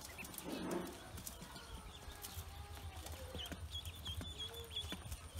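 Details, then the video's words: Farm-hatched Pekin ducklings, newly out of the egg, give a series of thin high peeps in the second half, following a low thump and a soft gliding tone, over a constant low hum. "Newly Pekin Ducks Hatched On My Farm"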